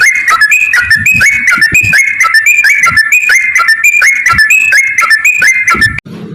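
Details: Long fighting song of a yellow-vented bulbul, meant to goad other birds into answering: continuous bubbly whistled notes stepping up and down, running without pause for six seconds before a sudden cut and a low hum.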